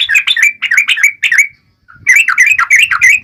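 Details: Lure song of a yellow-vented bulbul for prompting other bulbuls to reply: two bursts of liquid, warbling whistled notes, rising and falling, separated by a short gap.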